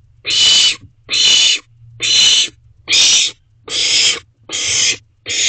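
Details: Owlets at a nest box at night, 10:36 pm in late June, on a camera. Seven harsh, breathy screeches, each about half a second, repeated steadily almost once a second over a faint low hum.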